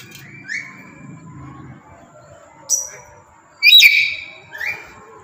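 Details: Pet black-capped lory, tame, making short rising whistled notes, a sharp high chip, then a loud harsh screech followed by another upslurred whistle; faint low murmuring early on.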